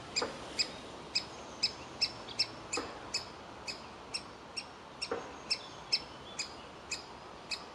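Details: Fledgling-age woodpecker in a tree hole demanding food, reluctant to leave the nest; bright sharp notes repeated roughly two to three times a second, fairly steady, with a few faint lower clicks.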